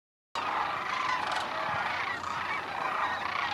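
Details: In late August at Creamer's Field National Waterfowl Refuge, Fairbanks, Alaska, a dense flock of thousands of sandhill cranes resting before migrating south call together, their rolling, rattling bugles overlapping into a continuous clamour.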